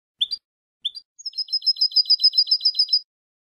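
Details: Tutor recording of European goldfinch song for young birds: two short introductory chirps, then a steady, even trill of bright, high twittering notes lasting nearly two seconds.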